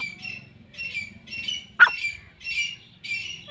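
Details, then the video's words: Grey francolin giving harsh, ringing notes repeated about every half second, with one louder squawk partway through, over a low background hum. "dakhni teetar ki awaz"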